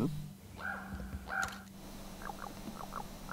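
A raven gives two flat, ringing tonal notes, then a brisk series of short knocking clucks, with a low steady hum underneath.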